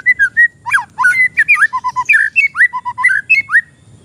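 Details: Tutoring and lure song from an untrained oriental magpie-robin: a dense, varied medley of sweet whistles, sharp rising and falling slurs and short repeated low notes, delivered loudly without pause.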